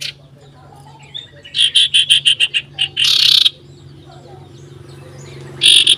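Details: Common iora in loud song, seeking a rival, 27 December 2022: a quick series of harsh raspy chattering notes, a longer grating burst, then silence before another rasp.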